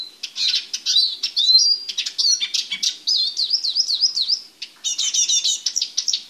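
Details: Male Eurasian siskin singing in a small cage while being prepared for mating: a fast, high twittering run of chirps, trills and slurred notes, with a nasal wavering warble in the middle and a rapid buzzy trill near the end.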